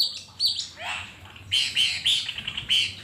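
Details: Wild cucak keling giving a short sequence: a harsh downward slurred note, then four bright clipped whistles repeated about every quarter second.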